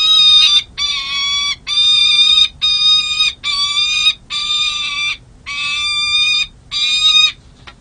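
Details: Peregrine falcon defending its nest at San Jose City Hall, where a second-year male guards three eggs, April 13, 2023, nest cam. A loud, insistent series of eight rasping, nasal wails, each half a second to a second long, is delivered in quick succession.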